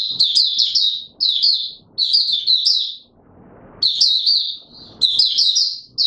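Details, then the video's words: Oriental white-eye courting, 25 January 2022: clusters of high, lively chirruping notes in quick phrases, a longer pause with low rustling in the middle, then more bright warbling. "Mata Puteh Raja V2 in courtship mode"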